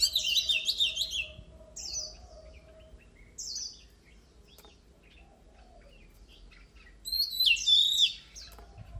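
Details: Oriental magpie-robin singing in a recording for training contest birds: a cluster of quick varied whistles, then two isolated downslurred notes, a long pause, and another rich burst of whistles and trills.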